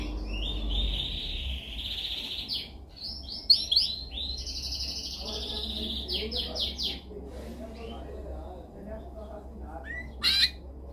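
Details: Canary with a dominant song intended for training: alternating buzzy trills and bursts of quick repeated notes, then softer scattered chirps and a final short sharp burst.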